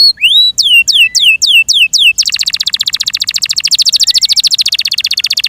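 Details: Yorkshire canary kept in care singing loudly: a run of descending whistled sweeps repeated about four times a second, then a fast, rapid buzzy trill held high for several seconds.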